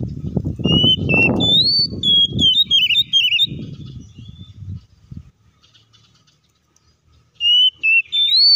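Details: Oriental magpie-robin song used as a lure to provoke other magpie-robins into singing: loud, clear whistled phrases of rising and falling notes with short trills. Low rumbling handling noise runs underneath, then a quiet gap before the whistles resume.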